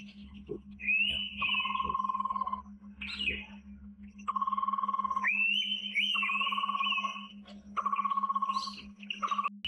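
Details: Indian pitta in its forest habitat: repeated rising, wavering high whistles alternating and overlapping with a steady lower whistled tone, in regular bursts of one to two seconds, over a quiet background hum.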